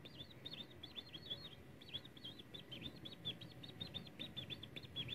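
A European greenfinch sings fast, stuttering runs of high twittering notes, repeated several times a second, over a steady low background rumble.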